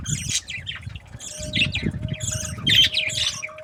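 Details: Cheerful chattering of budgerigar breeding pairs: rapid high twittering and scratchy squawks in overlapping bursts over a steady low hum and some low thumping.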